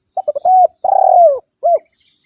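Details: A single spotted dove phrase used to call rivals and lure wild birds: quick clipped notes, a smooth level coo, a long throbbing coo that slides down, and a brief final hoot.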